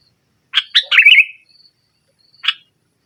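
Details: Sooty-headed bulbul, a lure for silent birds, giving a vigorous nggaruda-style phrase: three rapid chirps running into a bubbly warble, then a long pause and one more sharp note.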